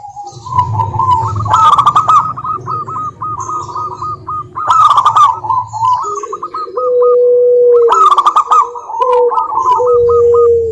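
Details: Zebra doves of local wild stock cooing as a lure for reluctant doves: strings of quick, trilled coo notes, then steadier, lower sustained tones, over a low hum with occasional loud clicking bursts.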